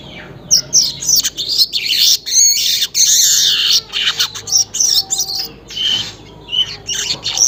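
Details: Weaver recorded early in the morning, near 5:40 Western Indonesian Time, giving fast, uneven chatter: harsh buzzy notes and high scratchy chirps tumbling in quick succession, with a brief rattle and short gaps.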